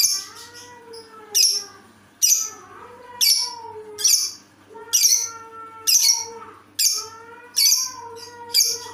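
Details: Lovebird giving an unusual call: about ten harsh, rasping squawks repeated roughly once a second in a steady series. Each is followed by a softer, lower sliding tone.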